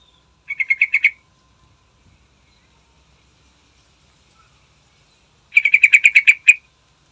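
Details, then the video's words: Morning song of a yellow-vented bulbul, played to lure other birds into singing: two quick bubbling bursts of rapid, evenly spaced bright notes, the first short, the second longer with about ten notes, separated by silence. "Trucukan Andalan Gacor Istimewa Pagi Hari Manjur Buat Pancingan"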